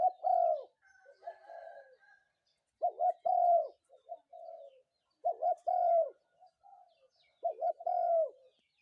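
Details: In the morning a spotted dove repeats its mellow cooing phrase: two quick coos and a longer drawn coo, roughly every two seconds, with quieter murmured coos filling the gaps.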